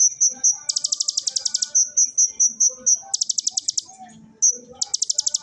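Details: Konin, an Oriental magpie-robin, delivers ciblek bursts imitating the bar-winged prinia: strings of sharp high whistles broken by fast rattling buzzy trills about a second long, repeated several times, quiet background.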